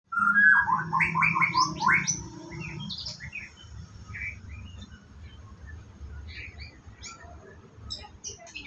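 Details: White-rumped shama at a bird farm during its morning routine before bathing: a burst of loud, varied whistled and chattering phrases over the first three seconds, then fainter scattered notes, with a low background hum.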